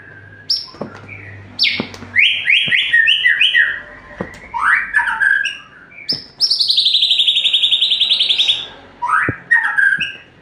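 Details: White-rumped shama in full song: rich varied phrases of whistles, sharp upsweeps and chattered notes, including a long, fast, buzzy trill held steady for about two seconds, separated by brief pauses.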